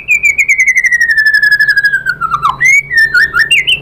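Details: White-rumped shama song used as a lure to make other shamas answer: a long clear whistle sliding slowly downward for over two seconds, then a dip and a run of quick rising and twisting whistled notes.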